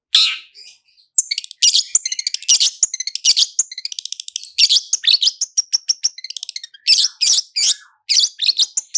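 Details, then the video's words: Long-tailed shrike lure song in the roll speed and roll tembak styles, full of fill-in phrases: dense bursts of harsh, scratchy notes broken by rapid ticking runs and thin high whistles, nearly without pause. "SUARA CENDET ROLL SPEED DAN ROLL TEMBAK, PANCINGAN CENDET FULL ISIAN JERNIH"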